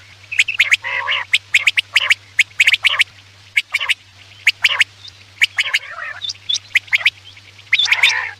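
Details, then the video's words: Busy quail calling played as a night hunting lure: dense sharp clicks, rasping gargled bursts and occasional thin whistles, with a steady low hum. "Batair ki awaz raat k liye|batair ki awaz shikar k liye"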